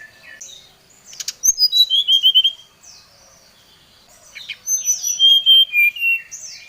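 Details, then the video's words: Brown-chested jungle flycatcher singing vigorously to challenge a rival, delivering two rapid runs of sweet whistled notes that descend stepwise, the second more varied, with faint chips between. "Suara Pancingan SRDC Gacor | srdc memanggil lawan | srdc gacor Emosi"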